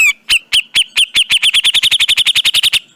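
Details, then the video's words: Grey-cheeked bulbul in a training recording for caged birds. A brief whistle leads into a long series of sharp repeated notes that start spaced apart and speed up into a rapid, even chatter. "Masteran Burung Cucak Jenggot Dijamin Langsung Nyaut"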